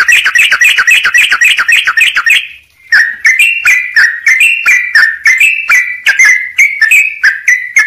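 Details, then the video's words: Training song of a sooty-headed bulbul, opening with a fast chattering run of notes, a pause, then steady repeated whistled phrases stepping up and down. "trucuk gacor buat masteran jeda rapat full isian"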